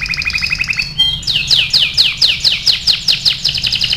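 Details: Training song of a canary: a quick paired-note trill, a short pause with a single whistle, then loud repeated downward-sweeping chirps in a steady rhythm.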